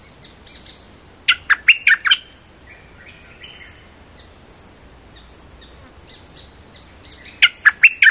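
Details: Streak-eared bulbul lure call for trapping, delivered in two bursts: a rapid series of harsh chirps early on, faint softer notes between, then another quick chirping run at the end.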